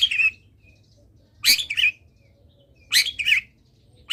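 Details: Long-tailed shrike in energetic song, meant to prompt other shrikes to sing: rough, scratchy two-part bursts with a grating opening and a lower trailing note, spaced about one and a half seconds apart.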